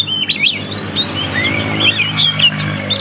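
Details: White-rumped shama fighting song to provoke other shamas: quick high chirps and slurred whistles over a steady low humming background noise.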